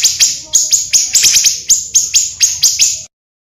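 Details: Pancawarna bird, recorded for luring birds and as tutoring material: about a dozen bright, sharp chirps in three seconds, some doubled, then sudden silence.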